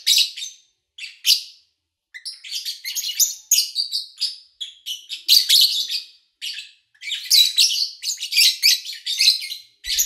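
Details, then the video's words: Lovebirds chirping in August 2019, recorded over three days from morning to evening in a quiet household; a long stretch of busy, overlapping rasping chirps and squeaks, nearly continuous after the first few seconds. "Sounds of Lovebird Chirping"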